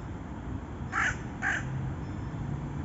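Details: A raven gives two short rough croaking caws about half a second apart against steady low rumbling background noise.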